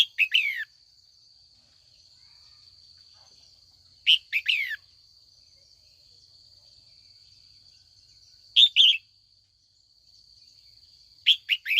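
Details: Female red-whiskered bulbul calling in the afternoon to spur seasoned wild-caught males into rival song: four short bouncy phrases of two to three chirps each, spaced about four seconds apart, against a faint continuous high tone.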